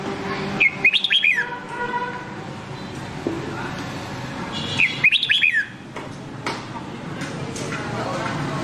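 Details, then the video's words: Red-whiskered bulbul singing a Nam Đông-style training song: two lively warbled phrases of rapid rising-falling whistles about four seconds apart, with softer chirps and a faint background rumble. "Luyện Giọng Chào Mào Má Trắng Bằng Giọng Chào Mào Nam Đông Hay Nhất 2022"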